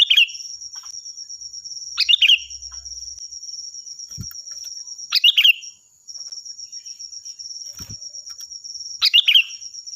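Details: Kutilang, or sooty-headed bulbul, giving its loud, ringing song for training other birds: short bubbly phrases repeated about every three and a half seconds, with a steady high whine and occasional soft knocks.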